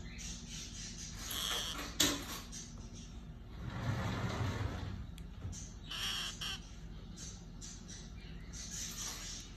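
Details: Orange-fronted parakeet pair calling with coarse, grating squawks in brief bursts spaced a few seconds apart, over a constant low hum and faint background noise.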